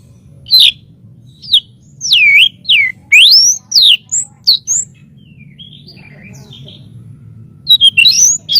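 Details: Master recording of a white-rumped shama for training birds: widely spaced, loud sweeping whistles, some dipping and some rising, with quiet gaps and low background rumble, then a brief quick burst at the end.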